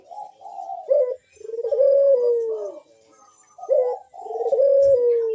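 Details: Bekur-style cooing from a ringneck dove, used to stir other doves into calling: short rising notes followed by long, drawn-out, slightly falling coos, two phrases separated by a brief silence.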